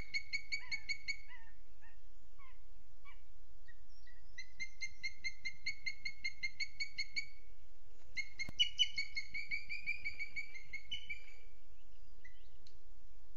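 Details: Booted eagle on a webcam in Spain's Sierra de Guadarrama National Park, 12 June 2022, 07:20 morning; bursts of quick, ringing whistled notes with strong overtones, run together in chattering strings with brief pauses, over faint low hum.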